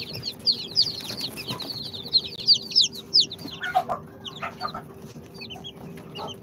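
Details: Newly hatched Sultan, Golden Sebright, Cochin and booted chicks from an incubator, two days old, peeping in a rapid stream of high, sharp cheeps, several birds overlapping, with softer lower notes later.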